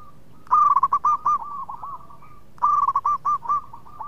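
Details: Local zebra dove in eager song, a sweet-voiced bird that leads others to sing: two loud, bubbly coo phrases about two seconds apart, each a quick roll of notes trailing into softer dipping coos.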